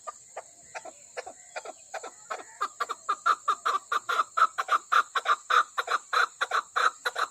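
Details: Female chakor (chukar partridge) calling: hoarse, clucking chuk notes about three a second, swelling in volume and pace, over a steady high hiss.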